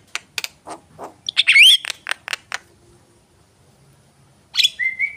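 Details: Javan myna singing: a burst of harsh clicks and chattering notes, then a bright rising whistled phrase, a pause, and a final buzzy note ending in a level whistle.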